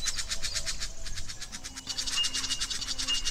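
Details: A female Yellow-throated Scrubwren (Neosericornis citreogularis) in wet rainforest understorey scrub gives a dry, raspy croaking chatter of rapid scratchy notes, about six or seven a second, over a low background rumble.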